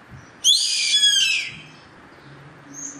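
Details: Wild yellow-headed caracara giving a single grating scream of roughly a second, with a louder burst partway through before it fades downward. A faint high thin note follows near the end, with a low background murmur.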